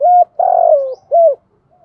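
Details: Kept decoy spotted dove with a prized 'thổ' cooing voice, used to train and lure wild doves: one short note, a long loud wavering coo falling at its end, then a short closing note, with clean background.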